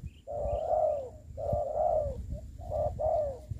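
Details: Decoy spotted dove on the ground during trapping. It gives three long, soft, slightly falling coos with a brief clipped note between, over low background rumble.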